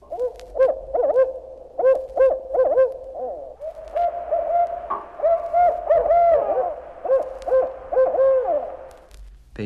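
Barred Owls in a rising, cackling chorus of rich, wavering hoots, several calls tumbling over one another at a quick, uneven pace.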